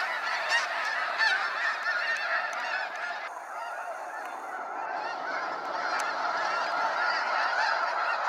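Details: Sunset fly-out of snow geese at Sacramento National Wildlife Refuge, many birds calling at once in a continuous chorus of high, barking honks, with a brief whine or hiss through the middle seconds.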